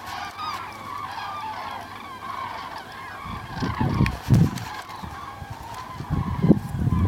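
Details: Common cranes migrating south on 9 November 2014, a chorus of trumpeting calls from many birds, growing gusty low wind rumble in the second half.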